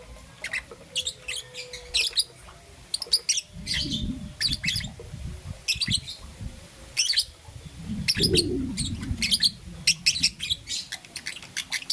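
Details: Young peach-faced lovebird, green and yellow, chirping in the morning: repeated high sharp chirps in bursts, over low rumbling noise at intervals.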